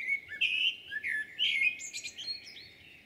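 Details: Common blackbird singing at Jūrmala on 11 June 2022: mellow warbled phrases that rise and fall, followed by a short, thin, high twittering flourish near the end, with quiet background noise.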